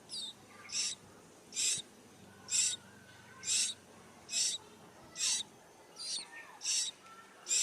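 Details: Hungry chicks begging while their mother feeds them: high, hissy buzzing bursts repeated roughly once a second, regular and insistent, over a faint steady background hum.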